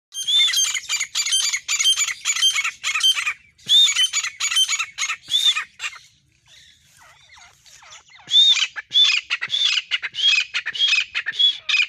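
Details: Grey francolin, or desi teetar, calling in a series of sharp, high, squeaky notes repeated rapidly about twice a second, with a quieter break midway before the burst of calls resumes.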